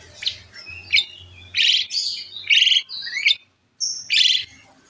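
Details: Asian pied starling (Gracupica contra) sings a lively string of harsh, buzzy chatters mixed with bright whistled notes, in short bursts about a second apart, a vigorous song that prompts other birds to call.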